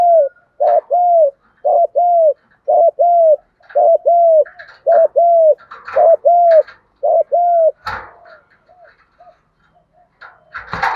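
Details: Lure recording of spotted doves, male and female, giving fighting-style coos to stimulate wild birds: regular two-note hoots about once a second, trailing off into softer clicks and rustling at the end.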